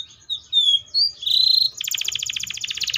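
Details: Canary song of short whistled slurs and a sustained buzzy note, breaking into a rapid rattling trill that fills the last second.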